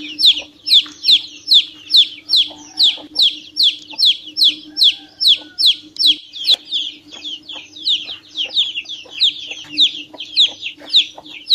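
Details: Long bout of chick peeping: shrill, falling piping notes in a fast, fairly even stream, slightly overlapping later, above a low steady hum.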